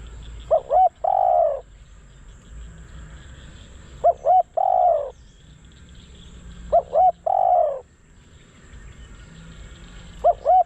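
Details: Spotted dove serving as a decoy to attract wild doves, calling a repeated pattern of two brief hooting notes and a longer rough coo, four times at roughly three-second spacing against faint background noise.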